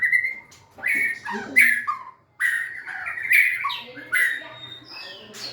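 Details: White-rumped shama producing loud whistled and squawky notes in short bursts, with falling slurs and harsh chirps, one clear silent gap near two seconds; low hum behind.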